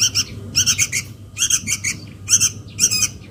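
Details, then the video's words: Sooty-headed bulbul young calling for its mother: harsh, buzzy chattering bursts in short groups, spaced under a second apart, rough and insistent over faint low noise. "SUARA PIKAT // ANAK KUTILANG MEMANGGIL INDUKNYA"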